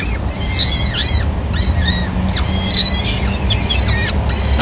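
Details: Madrid peregrine falcons on 26 April 2016 during the first feeding of the day, when the male brings a small bird for the chicks. Excited, bending, wailing notes tumble over one another above steady low traffic-like noise.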